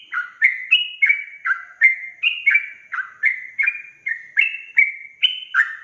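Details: Ropel song of a sooty-headed bulbul, a gacor style claimed to rile up rival bulbuls: a rapid unbroken run of loud whistled slurs, alternately rising and dropping, roughly three notes per second.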